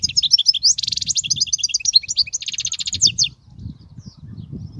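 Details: European goldfinch song, offered as a tutor recording for young goldfinches: a rapid, high tinkling twitter mixed with dense buzzy trills, running for over three seconds before stopping; low background rumble underneath.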